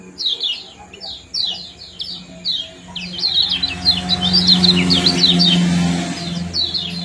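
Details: Lemon-bellied white-eye, ciak-ciak and jos sequence used to stimulate breeding and as song tutoring for birds; clipped high chirps in short series, turning into a faster tumbling run as a low droning hum rises behind.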